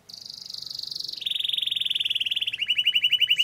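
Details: Canary in long rolling song used as a training lure: a fast trill near high pitch, then a lower buzzy roll, then a descending stuttered trill, each phrase of rapid even repeated notes.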